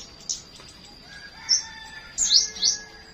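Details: High, thin flowerpecker chirps on a morning, a few scattered notes followed by a closely spaced pair of strong upward-sweeping calls.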